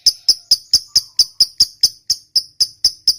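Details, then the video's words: Lovebird ngekek, a provoking song to draw replies from other lovebirds: loud, sharp, high chips spaced evenly about four per second, slightly slowing toward the end. "Suara Burung Lovebird Ngekek Panjang, PINTAR Memancing EMOSI"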